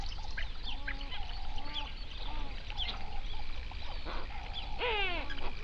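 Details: Hundreds of flamingos calling on a lake in a national park, Overberg region, South Africa, around sunrise. Short nasal honks repeat in a steady chatter, ending in a louder, ringing honk with a falling tail, over a background murmur.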